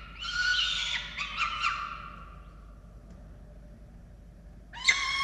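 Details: Falcon nest in Orange, Australia, during a chick feeding on 13 November 2022. A rasping, squealing call series fades into near silence, then a single sharp call rings out at the end.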